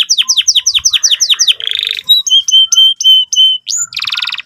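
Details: Energetic canary song meant for young canaries learning to sing: a rapid series of sharp downslurred chirps, a buzzy trill, then clear repeated whistled notes and a final harsh rattling burst.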